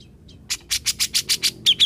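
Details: Grey-cheeked bulbul, a mute bird turned vocal. A series of about eight harsh, buzzy chirps, evenly spaced roughly every tenth of a second, ending in two sharper whistled notes; faint low background hum.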